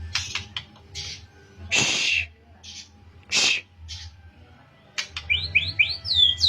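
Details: White-rumped shama of the Pastol type rehearsing canary-style phrases: scattered chips and two loud harsh rasps, then a fast series of rising whistled slurs near the end.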